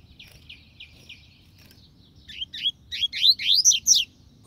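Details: Soft regular chirps from a double-collared seedeater lead into an accelerating, louder series of rising whistled slurs at the phrase's close.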